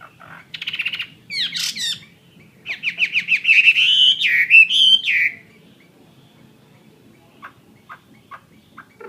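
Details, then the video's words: Captive Chinese hwamei of the fighting type gives short chattering bursts, then a loud run of rising whistled and rolling notes. It drops away to faint, isolated ticks. "Họa Mi chiến 21"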